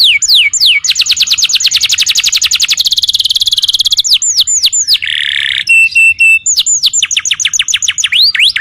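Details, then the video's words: Canary song recorded as a training model for other birds: loud, high whistled song with long rapid trills of falling slurred notes, a buzzy rolling passage, then steady pure tones and fast repeated down-sweeps. "Masteran burung kenari"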